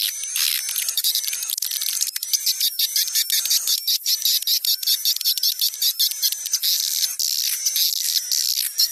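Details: Swiftlets in a lure call track played to draw birds to a swiftlet house, mixing about 20% juvenile and 80% adult calls: dense, overlapping high chirps and clicking trills, rapid and irregular, with thin whistled tones running through.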